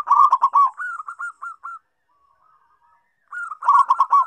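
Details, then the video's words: Zebra dove call used as a lure for quiet birds: bursts of quick, slightly harsh stuttering coos, then smoother evenly spaced notes, a silent gap of over a second, and another rapid stuttering burst. "pancingan AMPUH perkutut yg susah bunyi"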